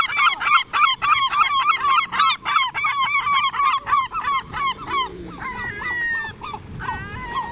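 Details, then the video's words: A group of gulls calling together: fast, regular, loud nasal yelping notes, several every second, then drawn-out wavering cries near the end. "Seagulls sing together"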